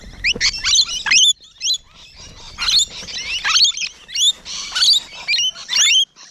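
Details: Rainbow Lorikeets recorded up close on a June morning, sharp high screeches and squeaky twitters in bursts separated by brief gaps.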